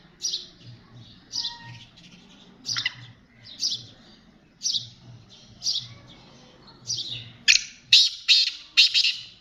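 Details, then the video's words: Sindhi black francolin (kala teetar) calling: a series of short, harsh, rasping notes roughly one each second, then a louder, faster burst of grating notes near the end; low hum underneath. "Sindhi kala Teetar ki awaz"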